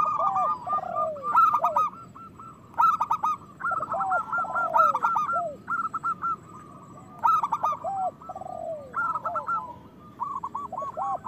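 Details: Loud local zebra doves, used to prompt lazy doves to sing and to bring on breeding: repeated phrases of quick staccato coos, each followed by lower slurred falling notes, recurring every two seconds or so.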